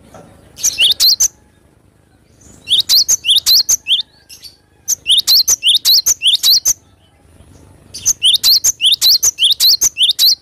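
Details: Cinereous tit (glatik batu), a lively singer (gacor) recorded in nature, delivers four quick bursts of shrill, repeated two-note chirps with brief silent gaps between phrases.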